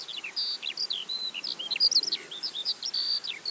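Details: Eurasian skylark singing unseen high above open fields in the West Sussex countryside: a long, unbroken stream of quick, high chirps, whistles and trills tumbling up and down without pause.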